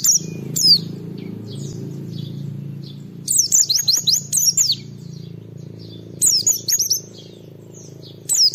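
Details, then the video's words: Oriental white-eye (pleci) singing to set other white-eyes off: scattered high chips, then several fast bursts of shrill, descending twittered notes, over a steady low hum throughout. "Suara Burung Pleci Gacor Cari Lawan Bikin Semua Pleci respon gacor buka paruh"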